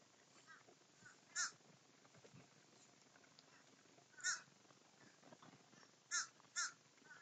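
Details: Crows feasting together as a group, giving short harsh caws at irregular intervals, four calls including a quick pair near the end, over a low background hiss.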